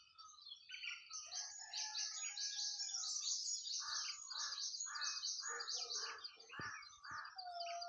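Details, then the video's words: Nightingale singing in a garden in spring: a loud, continuous high chorus of overlapping chirps and trills, with rhythmic lower warbled notes repeated about twice per second throughout. "Nightingale (Bulbul) Sound in Garden"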